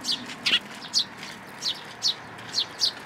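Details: At a Tenmangu shrine in June 2022, a fledgling sparrow in a plum tree asks to be fed with seven bright, high down-slurred chirps in three seconds, roughly evenly spaced.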